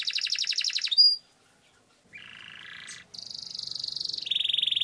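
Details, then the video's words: Canary singing a gacor song with long rolls, used as a lure to train other canaries: a fast buzzy trill, a short silence, a lower buzzing roll, then high rattling rolls stepping down in pitch. "Suara Burung Kenari Gacor Ngerol Panjang Untuk Pancingan Kenari Agar Jadi Juara"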